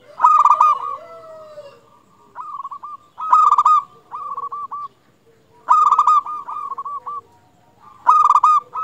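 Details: Local zebra dove in persistent song, used to prompt silent doves to sing: loud pulsed coo bursts about every two and a half seconds, each followed by quieter rolling coos.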